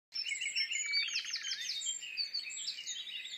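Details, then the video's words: Common nightingale singing at Woods Mill in the dawn chorus, unseen: a dense run of rich whistled and trilled phrases with fast repeated pulses midway, over a busy overlapping chorus of other songbirds. "Nightingale and Dawn Chorus"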